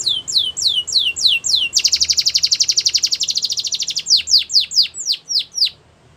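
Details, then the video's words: Belgian canary training song for young canaries: falling whistled slurs, a loud dense rapid trill lasting two seconds, then more slow falling slurs that fade out. "The Best Canary Training Song | Belgian Canary Singing"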